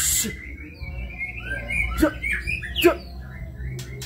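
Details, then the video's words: White-rumped shama, a long-tailed Kebyok type, singing varied whistled phrases with slurred notes and sharp clicks; low background hum throughout. "Murai batu (Kebyok)"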